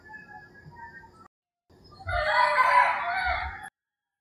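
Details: Rooster crowing in the early morning in rural Philippines: after a faint harmonic call and a brief silence, one loud, harsh, drawn-out crow of about one and a half seconds, with low thumps underneath.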